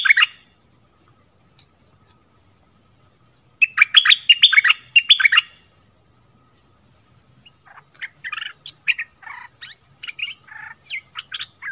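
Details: Nok dok taeng bird singing in the 'pleng berm' style, played so young birds learn it. A short whistle, a lively burst of tumbling notes, then a looser series of thinner, higher chirps and twitters.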